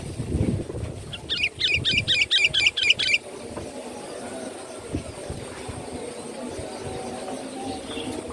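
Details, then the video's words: Sooty-headed bulbul used as a lure, a rapid string of about eight repeated chirped notes over roughly two seconds, somewhat distant, against noisy outdoor background rumble that continues afterwards. "suara pikat burung KUTILANG gacor"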